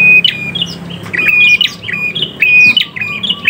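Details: Prinia in lively song: sharp chipping notes alternating with short steady whistled tones, repeated roughly every second or so, with some squeaky high accents.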